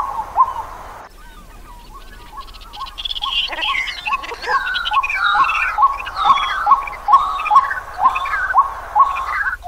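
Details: White-breasted waterhen (Amaurornis phoenicurus) calling in Pingtung County, Taiwan, on 31 December 2021: a mid-pitched note repeated about twice a second, with busier, higher chattering phrases layered above it as the calling builds.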